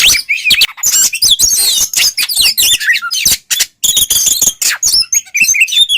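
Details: Ngeplong singing by a white-rumped shama, meant to make other shamas emotional: dense chattering trills and sweeping whistles, then high clipped notes in quick series.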